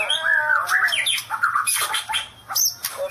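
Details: White-rumped shama singing the style called "sambaran listrik" (electric strike): a rich run of varied whistled phrases, slurred rising and falling notes mixed with harsh, buzzy bursts and quick high chips, with brief pauses between phrases.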